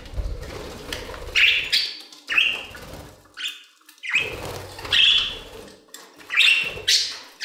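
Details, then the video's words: Aviary budgerigars sing with scattered sharp chirps and squeaky upslurred notes separated by short pauses, over a low hum of room noise. "Budgie Songs - 1 hour of Budgies singing in the Aviary"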